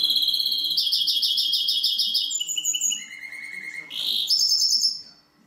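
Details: Hybrid of European greenfinch and canary in full song, racing through fast high trills that step down to a lower rattling tour, then a sharp rising note and more trilling before fading out.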